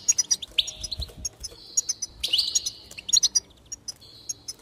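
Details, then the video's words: Goldfinch song meant to stimulate other goldfinches to sing: bright twittering notes with long buzzy trills, high-pitched and rapid, broken by short pauses. "increase the enthusiasm of the goldfinch and encourage it to song"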